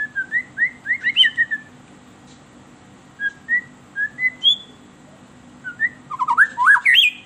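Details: White-rumped shama singing, used to lure captive birds: bursts of short whistled slurs, a quieter middle passage of spaced whistles, then a fast climbing flurry of sweeping notes at the end.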